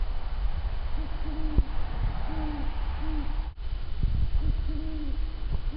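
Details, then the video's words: Two Great Horned Owls trade deep, soft hoots in the very early morning of 7 November 2009 in Pittsfield, Massachusetts: several low, mellow notes in loose series, one voice slightly higher, over a steady low rumble. "Great Horned Owls"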